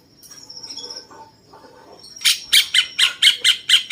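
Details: Cucak cungkok bulbul of the 'rasa jenggot' kind, used for mastering champion songbirds: soft twittering at first, then a loud rhythmic series of six harsh chips, evenly spaced about a quarter second apart.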